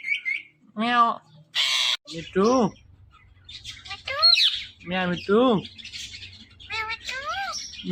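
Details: Male pet ringneck parrot watching its own videos, giving varied speech-like chatter: short arched harmonic syllables, quick chirps, a noisy burst and wavering notes, spaced irregularly with brief pauses and a faint background hum.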